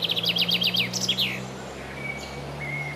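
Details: A common chaffinch (Fringilla coelebs), recorded 27 June 2017, sings a quick run of about eight bright, falling notes that speeds into a short closing flourish, over a steady low mechanical hum.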